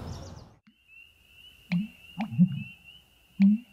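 An American bittern gives deep, hollow, gulping booms, three low pulses about a second apart, over a thin steady high whine, likely an insect.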